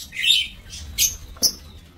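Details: Lovebirds in an aviary breeding cage, recorded 5 July 2024: shrill, high chirps in short bursts, about four within two seconds, the second and last sharp and clipped, with a faint low hum beneath.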